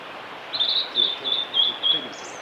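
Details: Single short phrase from a singing male blue-and-white flycatcher, Kanazawa forest road, Lake Miyagase, 5 May 2018: a run of five high, slightly falling whistled notes over faint background noise.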